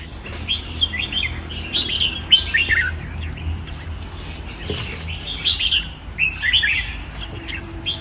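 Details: Caged red-whiskered bulbul in a training cage delivers clusters of sharp, liquid whistled notes that swoop up and down, in groups of three or four phrases with quiet gaps, over steady low background noise.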